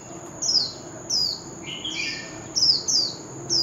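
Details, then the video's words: Oriental magpie-robin, wild-style lure for contest singing. Short, high whistles sweeping downward repeat about every half second to second, with one lower, buzzy warbled note in the middle, over steady hiss. "Chòe than hót giọng rừng l Tiếng chim chòe than mồi l Chòe than hót đấu"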